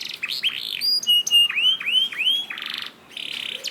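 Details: Canary song played to encourage canaries to sing: short buzzy notes, a series of clear dipping whistles repeated about three per second, then dense buzzy trills after a short pause.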